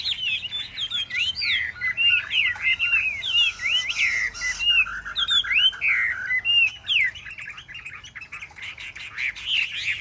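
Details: Chinese hwamei held in a cage for rack singing contests, giving a long, lively run of loud whistled phrases, sharp upslurs and rolling warbles, with short pauses between bursts.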